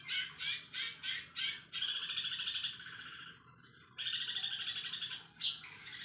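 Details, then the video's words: Long-tailed shrike delivering sparrow-filled 'isian greja' song as a lure recording: a run of quick chirps, then long chattering buzzy trills lasting over a second, a brief pause, and more rapid chatter. "CENDET ISIAN GREJA FULL SPEED!!! PANCINGAN CENDET GACOR DOR!!!"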